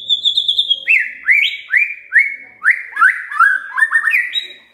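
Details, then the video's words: Magpie-robin song played to encourage a silent bird to sing: a high whistle, then a series of repeated rising, slurred whistled phrases about twice a second, ending in quick, jumbled notes. "Pancingan Murai DIAM Agar Rajin Bunyi"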